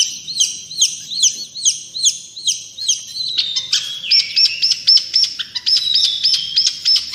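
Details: Long-tailed shrike in full, active song: a run of repeated buzzy, wavering high notes gives way to quick series of sharp, whistled upslurred notes, all high-pitched and clear over a quiet background.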